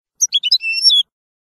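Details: European goldfinch training song, a single brief phrase of quick high chips leading into a drawn-out thin whistled tone.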